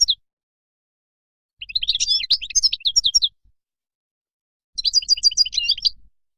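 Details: European goldfinch wild song used for tutoring young: two short bursts of high, sweet twittering separated by a silence of over a second, the second burst with rapid repeated notes.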